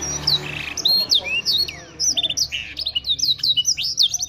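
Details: Canary from Wiradesa, Pekalongan, singing in imitation of a blackthroat: bright high whistled slurs, rising and falling, delivered in quick bursts with short pauses between phrases.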